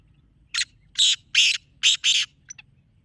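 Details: Harsh rasping call of a black francolin, as used to lure francolins: one short note, then four loud scratchy bursts in a rapid two-part pattern, ending with faint clicks.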